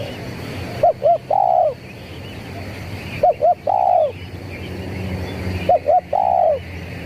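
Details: Lure call of a zebra dove in the 'kuk 3' pattern: three clear phrases, each two brief hooting notes and then one sustained coo, spaced about two and a half seconds apart over faint low rumble.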